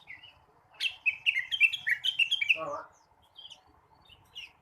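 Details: Blue-winged leafbird singing in the morning: a rapid run of sharp, downward-sweeping whistles and chattering warbled notes lasting about two seconds, ending in a short lower buzzy burst, then soft scattered chirps.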